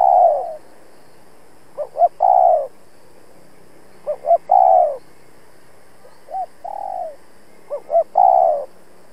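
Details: A decoy spotted dove gives a challenge call to draw wild rivals for trapping. Its phrase is repeated every two seconds or so: two quick, clipped low notes, then a longer, falling mellow coo, against a quiet background.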